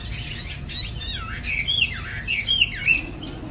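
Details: Caged Chinese hwamei singing in the afternoon as it flares its wings: rich rapid warbling building into loud looping whistled notes repeated several times, each swooping up and down, over faint low hum.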